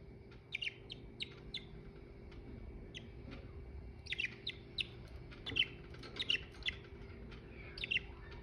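Budgerigars give short, sharp chirps and squeaky tweets in scattered bursts over a steady low hum.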